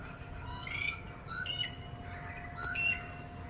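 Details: Red-whiskered bulbul calling out to distant companions, giving three short whistled, slightly warbling phrases spaced about a second apart against a constant low rumble.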